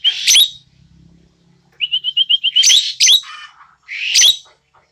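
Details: Asian glossy starling, a tame caged bird described as red-eyed and black-feathered with a clear, shrill voice, giving loud harsh bursts and a run of about eight rapid clear whistled notes.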